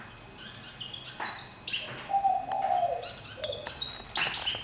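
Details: Fantail singing in a spacious cage after a year there: high twittering notes stepping up and down, then a longer descending fluty whistle, followed by more high thin chirps.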